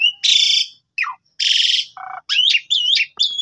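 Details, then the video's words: Lure recording of a chatty Javan pied starling meant to provoke a reply; loud harsh buzzy bursts alternate with a falling whistle, a low nasal rattle and wavering squeaky phrases. "Pancingan Jalak Suren Gacor Full Isian Jalak Suren Pundung Seketika Nyaut Gacor"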